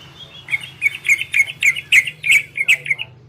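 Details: Orange-spotted bulbul singing in the ropel and garudo styles, used to stimulate breeding condition in birds that hear it: a rapid run of about nine bright, sharp chirped notes, roughly three per second, over a faint low hum.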